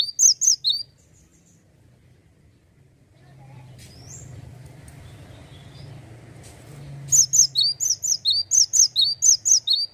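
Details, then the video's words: Male cinereous tit in full, persistent 'gacor ngeplonk' song: bursts of high, sharp two-note whistled phrases, repeated rapidly, open the clip, then a quiet stretch with low rumbling background, then a long run of phrases resumes. "GELATIK BATU JANTAN LAGI ONFIRE...GACOR NGEPLONK"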